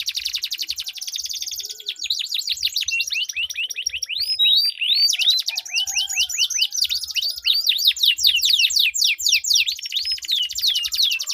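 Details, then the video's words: Long rolling canary duel song, used to encourage silent canaries to sing: a buzzing trill opens into steadily repeated arching whistles, switching to rapid dense sweeps and chips throughout, nearly without pause. "Duel Burung Kenari Suara Merdu Ngerol Panjang || Pancingan Ampuh Kenari Macet Gacor Ngerol Panjang"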